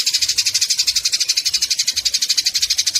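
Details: Eurasian tree sparrows in a fight, their scratchy chatter coming as a fast, even stream of high, buzzy chirps, three to four per second, with no gaps, recorded for training songbirds.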